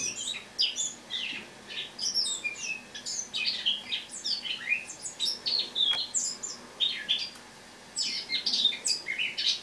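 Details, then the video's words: Soft autumn subsong from a caged Eurasian blackcap wintering in a kitchen, recorded the morning of 1 October 2017; a long, unbroken chatter of rapid high chirps and warbles with one short pause near the end. "Осеннее пение славки-черноголовки (Sylvia atricapilla)"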